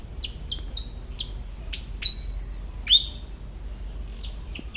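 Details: Garden-foraging Malaysian pied fantail: bright, high whistles in short rising and level phrases, fast and uneven, with some sharp clicks between notes.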